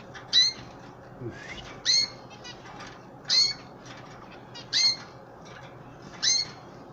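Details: Canary chicks and an older canary kept as pets during hand feeding; loud piercing chirps recur about every one and a half seconds over light scratching and wing-like fluttering noises.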